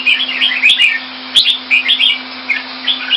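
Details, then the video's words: Caged red-whiskered bulbul kept Thai style in Singapore, February 2018: short bright warbled phrases, mostly rising-and-falling whistled notes, sung in bursts about every half second over a steady low electrical hum. "นกหัวจุก - Singapore play Jambuls Thai style"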